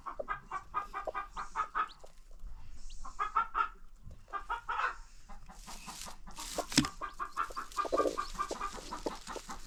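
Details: Free-range farm hens with new baby chicks: bursts of rapid, rhythmic, nasal clucking in short runs separated by pauses, plus a sharp knock and faint higher peeps.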